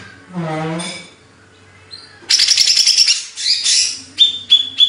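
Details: Banyuwangi greater green leafbird singing in hyper form: a brief low, harmonic sound first, then a dense buzzy scratchy burst and a few sharp, high whistled notes repeated quickly.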